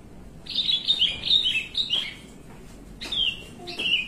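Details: Caged Javan bushlark singing the long 'melung panjang' style at rest: a flowing chain of slightly wavering whistled notes, each sliding down, then a pause and two more drawn-out descending whistles.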